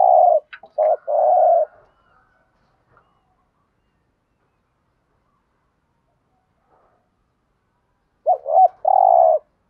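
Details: Spotted dove "thúc gù" cooing: a burst of short clipped notes and a long mellow hoot, then near silence for about six seconds before another phrase of stuttered rising notes and drawn-out low coos.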